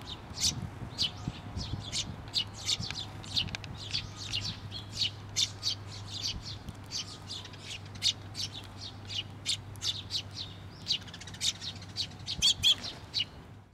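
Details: Chick perched on a post at a shrine, parent bird returning, recorded 16 May 2023; continuous stream of high, sharp chirps and squeaks for about fourteen seconds with a steady low hum underneath.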